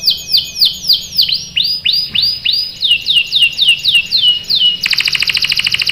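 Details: Canary song used to prompt young canaries to sing: a run of repeated downward-swooping whistled notes, about four per second, then a shift into a rapid, dense buzzing trill.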